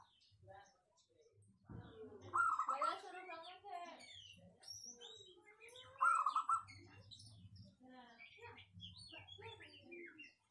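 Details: Local zebra dove with a clear, dense voice giving two loud, rapid, purring coo bursts about four seconds apart, over a background of voices, scattered chirps and low knocking sounds.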